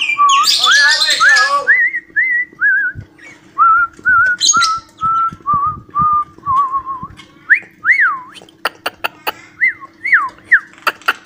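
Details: Pet cockatiel imitating the melody Johny Yes Papa: a burst of harsh chattering at the start, then a run of clean whistled notes gliding and descending, ending in looping up-down whistles among sharp clicks.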